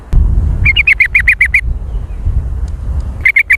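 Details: Lure call of a sooty-headed bulbul in the busy, noisy jontrot style: a quick run of about eight sharp, slightly bubbly notes, a pause, then a short burst of three more, with low background rumble.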